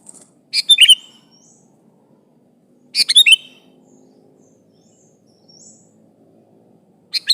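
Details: Sooty-headed bulbul calling out to a rival to draw replies from other bulbuls; brisk chirpy whistled phrases of a few fast notes, heard near the start, middle and end with quiet gaps of about two seconds between.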